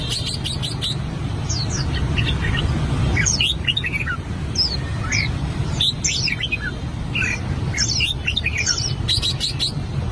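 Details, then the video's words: Song rehearsal from an albino red-whiskered bulbul, bursts of sharp rising whistles and rapid chirping notes recurring every couple of seconds, with a constant low hum behind. "Chim chào mào bạch tạng hót luyện giọng"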